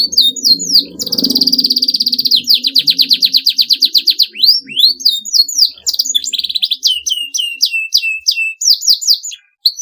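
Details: Canary delivering a long, rival-provoking song: a dense buzzy trill, then an evenly repeated rolling trill and varied whistled sweeps, over a low murmur early on.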